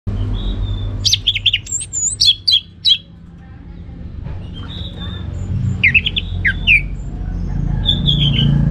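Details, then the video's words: Orange-headed thrush singing in the full ngeplong style, two bursts of varied quick whistled and buzzy notes, sharp high slurs mixed with lower warbles, separated by a quiet gap, over a steady low hum. "Anis Merah Ngeplong Gacor"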